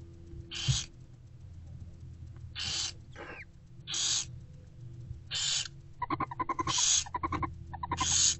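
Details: Barn owlets in a nest box, fed by their mother in daylight on 15 February 2024 around 11 am, give harsh, hissing begging screeches in half-second bursts, then a quick run of rapid, clicking twitters near the end over a low background hum.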